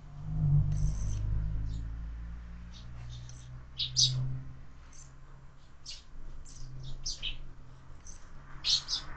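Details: Sparrows feeding at a window-mounted feeder: frequent sharp, high chirps scattered through the whole clip, some in quick pairs, over a steady low hum.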